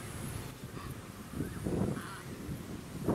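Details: Pacific black duck at a small artificial lake on the Sunshine Coast, Queensland, in December 2017, giving a few harsh, nasal quacks spaced unevenly over three seconds, over wind, birdsong and a low suburban rumble.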